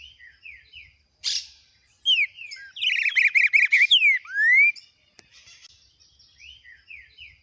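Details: A captive green-winged saltator in the "biro biro com boi longo" song style warms up. Soft scattered chirps build into a loud burst of rich, slurred whistles and rising notes, then quieter chirps return.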